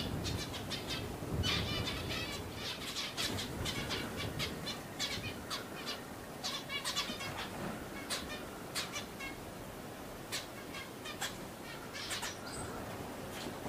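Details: Wild zebra finches calling: many short nasal chirps and buzzy notes in uneven clusters, several birds overlapping, with outdoor ambient noise and a low rumble underneath.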